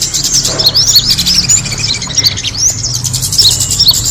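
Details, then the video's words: Kemade bird attracting call: quick, high, thin chirps and short rising twitters, several each second, over a low steady hum. "the sound of the kemade bird attracting noise"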